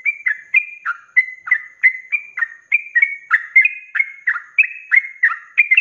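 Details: A Yellow-vented bulbul in a tutor recording pours out a fast, bubbling run of liquid, chortling, mid-pitched notes, about two or three a second, without pause.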